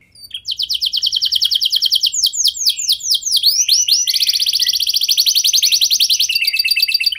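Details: Canary song to make other canaries answer: a long fast trill of high notes, a few slower looping sweeps in the middle, then another dense rapid rolling trill.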